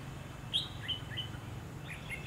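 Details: Red-whiskered bulbul at a trapping session on 27 November 2016, giving short, clear whistled notes and chirps, some rising and some falling, spaced irregularly through the clip over a low rumbling background.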